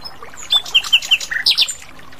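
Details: Short phrase from an Asian brown flycatcher singing in the wild. Crisp high whistles step down in pitch, then two sharp rising notes follow, all within about a second.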